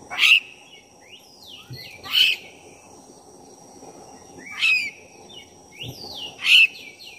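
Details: Black-breasted oriental magpie-robin song used as a lure to rouse another bird: loud harsh rasping bursts about every two seconds, with softer whistled downslurred notes between them, over a steady high hum.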